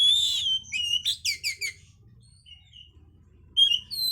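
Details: Oriental magpie-robin song as a breeding stimulus: a sweeping whistle followed by a quick run of descending chirps, a pause with soft notes, then another bright whistle.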